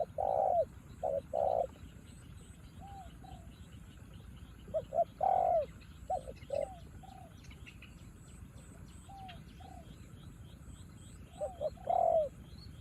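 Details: A decoy spotted dove competes with a wild bird during rainfall. Soft coos come in separate groups: short paired notes, then a longer swelling coo, with quieter answering coos in between.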